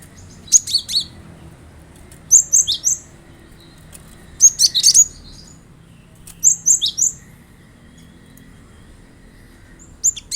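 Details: Cinereous tit song meant to set off a kept bird's singing: bright twittering phrases of several high, clipped notes, repeated about every two seconds against a quiet, low-humming background.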